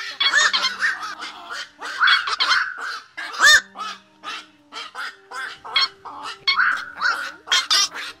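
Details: Flock-calling black-crowned night herons, a lure sound for night net traps: a thick chorus of hoarse croaks and squawks, with one sharp, loud call near the middle and a low electrical hum in the background.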